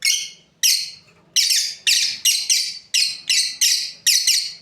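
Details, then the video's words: Pet lovebirds, a breeding pair, giving strident, raspy chirps in a near-steady sequence about every half second, each note falling off quickly. "Beautiful lovebirds chirping sounds | Amazing breeding pair"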